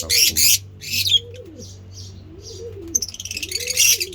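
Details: Kept African lovebirds, mutation varieties, at feeding time: loud rasping screeches in bursts, a few softer chirps and a quick stuttering chatter, while low rising-and-falling coos run underneath.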